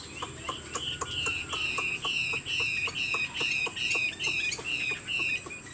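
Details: Caged, tame Chinese Hwamei singing while playing its wings and nodding: a loud, clear whistled note repeated steadily about every half second, each slightly slurred, with sharp clicking taps throughout.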